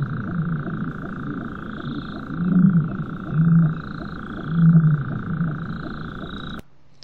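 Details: Common ostrich giving low, dull booms in three swells about a second apart, heard at a distance, with a nightjar calling in the background with a churring trill like the European nightjar's.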